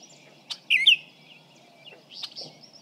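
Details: Baltimore oriole (Icterus galbula) song recorded from 55 feet away: two clear, rich whistled notes in quick succession, with a few faint higher chips before and after.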